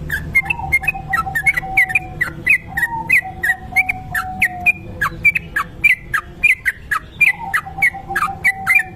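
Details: Sooty-headed bulbul, kebo type, in long continuous ropel song, recorded as a lure: lively whistled and chirped notes repeated steadily for many seconds, with a sustained low whistling tone running beneath.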